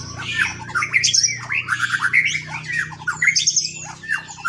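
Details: White-rumped shama in vigorous song, used to provoke rival shamas to sing: a dense tumble of harsh squawky notes, chattering fragments and short whistled slurs, continuous and loud over a low steady hum.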